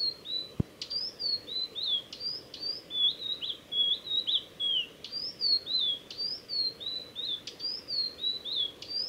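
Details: Male Blue-and-white flycatcher singing along the Mizusawa forest road in Tanzawa, Japan, on 8 June 2020: a steady run of clear, high whistled notes, each slurring downward, strung into phrases with sharp ticking onsets and one loud click early on.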